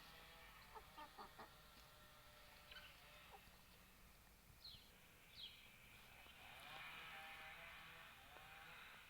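Chickens give short, irregular clucks and squawks against a steady background hiss, with a few higher sharp notes mixed in.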